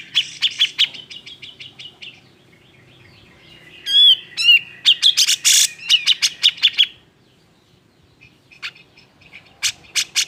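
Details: Cucak jenggot singing an agitated song meant to provoke other birds into singing; bursts of sharp repeated chirps and harsh notes with a brief warbled phrase, then quiet gaps and a few scattered notes.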